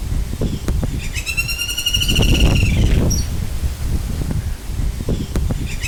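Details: A Red-backed Flameback, a woodpecker endemic to Sri Lanka, gives its distinctive call: one harsh, nasal trill lasting about two seconds and falling slightly in pitch, over steady low rumbling and a few sharp clicks.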